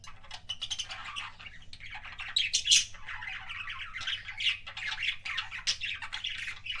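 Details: Kissing sounds by a pet budgie: continuous clicky chatter mixed with squeaky chirps and a few loud squeals in the middle, steady low hum behind.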